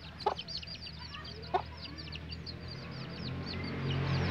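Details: Hen with chicks settling down to sleep: soft, high, repeated peeping from the chicks, with a couple of sharp clicks and a steady low background hum that grows louder.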